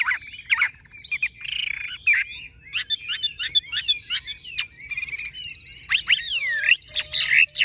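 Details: Caged Chinese hwamei with golden-yellow plumage singing a varied song of sharp clicks, buzzy trills and long swooping whistles, loud and continuous.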